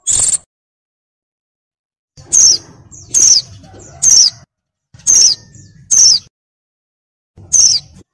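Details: Female oriental white-eye in breeding mood calling to lure a male: short high thin notes, each a brief descending whistle, given in a loose series of six roughly every second after a pause, with faint low background hum.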